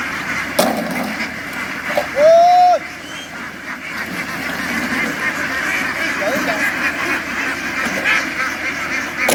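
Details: Farm ducks being herded ashore and onto a boat: a single loud, nasal quack, rising then falling, stands out over a steady murmuring hubbub likened to a swarm of bees, with fainter calls later.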